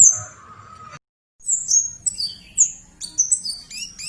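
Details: Bar-winged prinia, keres gacor song for songbird training: after a brief hum and a silent gap, quick high chirps and descending whistled slurs tumble out in varied, accelerating clusters.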